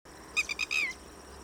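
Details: Red-wattled lapwing, a fast-running bird that rarely flies: a short burst of three sharp high notes followed by a longer downslurred note, loud and clear over faint background hiss.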